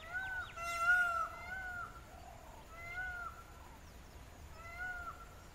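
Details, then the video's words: Indian peafowl (Pavo cristatus) in low country dry zone jungle at Panwewa - Nochchiyagama, recorded on a compact camera: far-carrying trumpet-like ka-aww calls, a long wailing note followed by two shorter repeats about two seconds apart, faint background hiss. "The Call of the Indian Peafowl (Pavo cristatus)"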